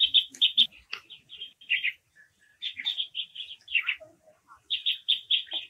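Japanese waxwings give high, thin, trilling calls in quick bursts, several close together, with brief gaps and a few lower chirps between.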